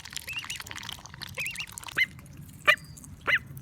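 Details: Female call duck at a Saitama high school, Japan: a few nasal, wavering quacks, then sharper single honks spaced roughly half a second apart, with low background hum.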